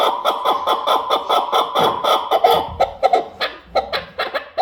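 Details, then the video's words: Repeated raspy clucking from a chukar partridge, the notes running close together at first, then spacing out into separate sharp chucks, with soft low knocking sounds underneath. "КАБКИ ДУЛАН"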